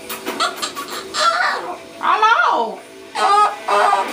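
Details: Pet Moluccan cockatoo playing peekaboo indoors, saying hello-like words in a harsh, speech-like voice; short raspy phrases with a descending squawk, alternating with a person's voice.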